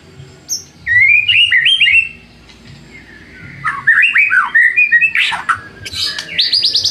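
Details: White-rumped shama lure song to rouse rival shamas: a sharp high note, melodic slurred whistles, a pause, then varied swooping phrases ending in quick rising repeated notes.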